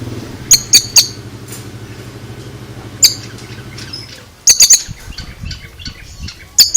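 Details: Oriental magpie-robin (kacer) uttering a strange sound: clusters of sharp, high, clicking notes in twos and threes separated by pauses, a low droning hum during the first half.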